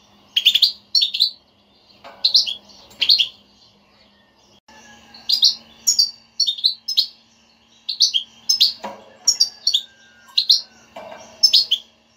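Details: European goldfinch batbata, a motivating twitter to make a non-singing goldfinch sing: a long run of crisp, ringing chirps, often paired, coming about twice a second after a brief pause, over a faint low hum.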